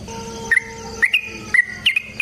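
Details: Yellow-vented bulbul giving short bursts of its fighting song, a lure for other bulbuls: a few clear, bubbly double notes spaced half a second apart over a steady low tone.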